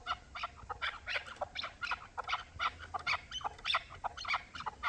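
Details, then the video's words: Hybrid and local chukar partridges call with quick, clipped chuk notes, roughly four per second, over a faint background hiss. "Кабки гибрид ва махали"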